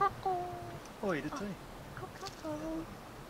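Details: An injured North Island kōkako kept in captivity gives rich, organ-like drawn-out notes that slide downward, with a quick falling phrase between them, sounding like its own name; faint background hiss.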